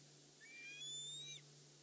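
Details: An African harrier-hawk at a dam on Djuma Game Reserve, 19 August 2016, hunting prey in rock cracks amid upset lapwings, gives a single thin, high whistle that slides upward and holds about a second, over a faint low hum.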